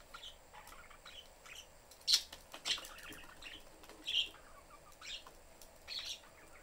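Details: Pet budgerigars, a family of father, mother and young in a cage with the door open, with scattered short chirps and sharp squeaky notes at irregular intervals over quiet room noise; the young one is seeking attention.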